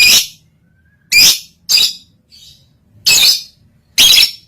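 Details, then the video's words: Lovebird in breeding condition, used as a master song to train other lovebirds: loud harsh rasping squawks, five bursts spaced about a second apart, with a faint softer note between. "Masteran lovebird birahi bunyi"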